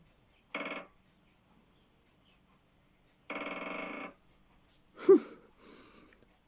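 Great spotted woodpecker drumming: two short, very fast rattling rolls of bill strikes, the second lasting almost a second. A man's voice then says a word.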